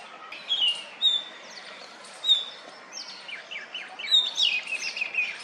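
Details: Oriental magpie-robin ruffling its feathers on a wooden stump, calling to females: clear repeated whistles, some sliding downward, followed by rapid descending chip runs, against low background hiss.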